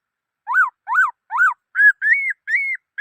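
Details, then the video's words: Black-throated laughingthrush song: three clear whistled notes that rise and fall like an arch, followed by four steadier, slightly higher level whistles, delivered at a brisk, even pace in an otherwise quiet setting. "Noog Sab Hwj Quaj Dib Tuaj Zoo Heev {นกมะเกลือร้องเพลงNk makelụ̄x r̂xngphelng}"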